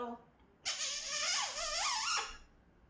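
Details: African grey parrot kept as a pet in a small room, producing a two-second wavering, voice-like sound that slides up and down twice, right after a person says hello.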